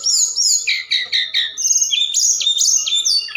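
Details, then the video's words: Night-time forktail lure call for stirring other birds to respond. High whistled notes slide down, then give way to a fast chattering series and sharp, rising and falling whistles without pause. "Tledekan Gunung Gacor Malam || Suara Pancingan"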